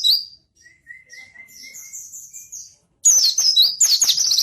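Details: Singing white-eye, offered as a lure and training master for birds slow to sing: a quiet thin whistle and faint high notes, then a loud, dense burst of rapid shrill twittering.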